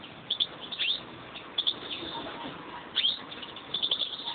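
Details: Kept pair of European greenfinches, male and female: scattered bursts of high chirps and short twitters, some with quick downward slurs, separated by brief pauses over a hissy background.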